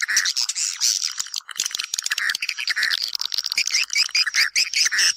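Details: Swiftlets heard in a sound meant to lure them into a house: busy, harsh chirps and trills from many birds, with a thin, rising, high whistle repeated near the end.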